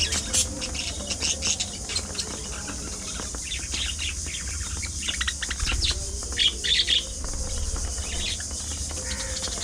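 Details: Budgerigars in a thriving colony, giving short, high chirps and squawks in scattered bursts, with a few brighter clusters of rapid twittering and a steady background hiss.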